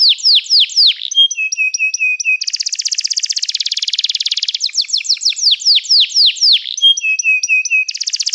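A canary sings a long, varied song of rapid trills, a buzzy rolling tour and repeated sweeping, descending notes, all high-pitched with no other sounds.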